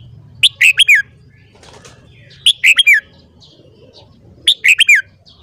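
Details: Red-whiskered bulbul in morning song training, giving three short, bright phrases of three or four quick looping whistled notes each, roughly two seconds apart, over a low background hum.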